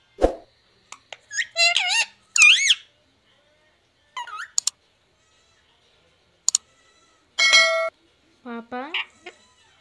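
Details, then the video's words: A pet green parrot taught to talk, imitating the word "papa": several short, squeaky, pitch-bending utterances and clicks, with a steady buzzy note near the end, separated by silences, indoors. "पापा बोलने वाला मिट्ठू || parrot talking papa"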